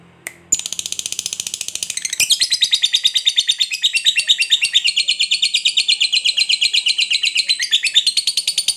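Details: Lovebird delivering a long ngekek trill: a couple of clipped opening notes, then an unbroken, fast, scratchy chatter of rhythmic pulses, rising a little in intensity and carrying on for about six seconds.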